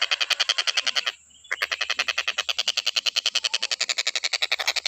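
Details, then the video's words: Stork-billed kingfisher in Indonesia, recorded as a tutor song for training other songbirds: a loud, harsh, rapidly repeated cackling note, about three to four per second, with a brief pause early on, over a steady high insect-like hiss. "TENGKEK BUTO KHUSUS BUAT MASTERAN,FULL KICAU GA ADA BERHENTI NYA"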